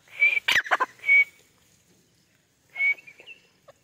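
A female grey francolin gives short, high whistled notes around a harsh, ringing burst, then a further shrill note after a brief pause.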